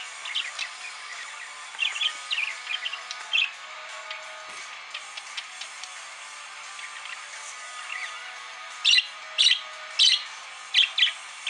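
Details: A pet parakeet chirps and warbles in bright, sharp bursts while singing and dancing along to rock music ("Monkey Wrench" by the Foo Fighters) playing in the background.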